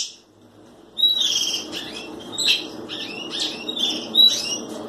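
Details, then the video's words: Red pileated finch starts after a second of near silence with high, thin chirped notes and short rising sweeps. Phrases come in uneven bursts, each ending in a brief bright peak, over a faint low background hum. "Tico Tico rei"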